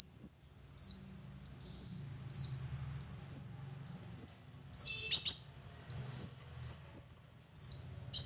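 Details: Thin, very high whistled phrases of a Van Hasselt's sunbird, played to coax a quiet bird to sing; each phrase rises then descends, with a sharp buzzy note midway and a soft low hum beneath.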